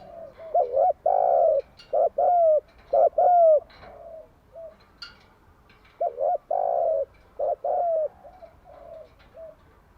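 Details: Spotted dove morning song used as a training lure: repeated low hollow phrases, each a pair of short notes and a drawn-out coo, with overlapping fainter coos and occasional sharp ticks in the background.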